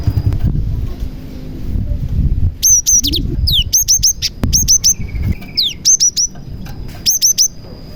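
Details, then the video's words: Cinereous tit in full song, its repertoire filled with prenjak (prinia) phrases, used to lure other tits into singing. Bursts of sharp high chirps and quick downslurred notes come in clusters of three to five, with a thin steady tone and low background rumble. "BURUNG GELATIK GACOR ISIAN PRENJAK • AMPUH MEMANCING BURUNG GELATIK LAIN AGAR CEPAT GACOR"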